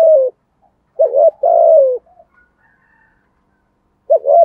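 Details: Spotted dove giving a 'giọng thổ' style song: deep cooing notes. One drawn-out coo slides slightly downward after a shorter double coo, then a pause and another short coo.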